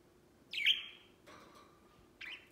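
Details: White pet budgerigar playing outside its cage: a loud, falling, slightly buzzy chirp that trails off, a soft low note, then a shorter repeat of the chirp.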